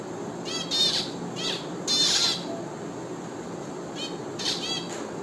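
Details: Bursts of rapid nasal finch chirps, two or three notes at a time, with a dense harsh cluster near two seconds, over a faint steady hum.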